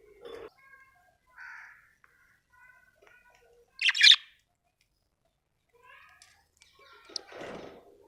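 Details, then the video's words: Happy budgerigar chirping: soft warbled notes and short harmonic twitters, then one loud sharp chirp burst near the middle and a harsher scratchy chirp near the end, with quiet gaps between. "Happy budgie chirping sound"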